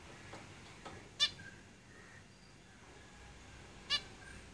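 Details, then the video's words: Two sharp, brief nasal beeps from zebra finches in a cage, nearly three seconds apart, with softer faint notes in between. "Zebra Finches Singing in the cage"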